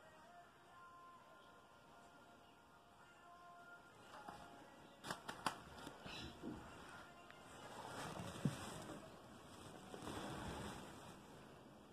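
Only faint steady hum, sharp clicks and rustling handling noise are heard, with no clear animal call.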